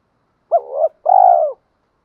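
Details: Decoy spotted dove coo meant to goad caged males into answering with fighting coos. A short note that swells and dips is followed by a longer, steady, throaty coo with a slight tremor. No other sounds.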